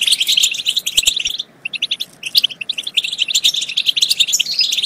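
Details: European goldfinch song used to prompt goldfinches to sing and mate. Busy, high chattering runs break off for a short silence around the midpoint, then resume in rapid tinkling phrases.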